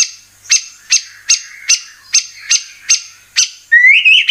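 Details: White-rumped shama (murai batu) used as a provoking lure: sharp high chips spaced about every half second, ending in a rising, slurred whistle.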